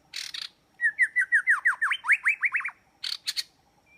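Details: Lure recording of white-rumped shama song: harsh raspy notes, then a loud run of about a dozen quick, rhythmic whistled notes that grow steeper and louder, ending in more harsh scratchy bursts.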